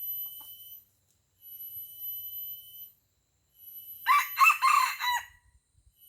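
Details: Wild Aceh red junglefowl, drawn in by a decoy rooster during a fierce fight, crows once loudly: a brief, rough, rasping burst just over a second long. Steady shrill whining tones pulse on and off before it.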